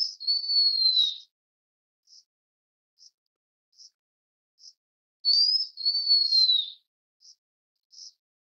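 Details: Two drawn-out high whistled phrases of a blue-winged minla, each rising sharply then sliding gradually lower, separated by a run of faint evenly spaced short chips roughly once a second.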